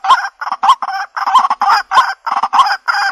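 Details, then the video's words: Jal murgi, the waterhen, giving a trapping call: continuous harsh, buzzy croaks in quick succession, each note broad and grating, with barely a gap between them. "Jal Murgi Ki Sound |Jal Murgi Call Voice | Ban Murgi Ki Awaaz"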